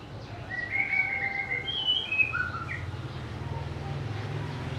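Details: Clear whistled phrases from a white-rumped shama, a few sustained and slurred notes at varying pitch over about two seconds, with a steady low rumble continuing afterwards.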